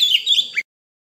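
An Oriental magpie-robin gives a brief, high, sweet warbled phrase of quick slurred notes, ending in a sharp upward-flicked note, then silence.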